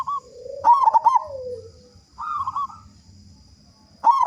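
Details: Local zebra dove with a big voice, used to coax other doves into singing; a loud pulsed cooing burst with a low sliding note, a softer wavering coo, then another loud pulsed start, steady high hum behind.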